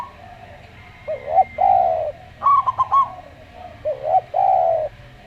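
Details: Slow-singing local zebra dove gives a burst of quick, clipped high notes between pairs of lower, rounded, sustained coos from a calm-voiced Javan derkuku dove; the phrases repeat about every two seconds.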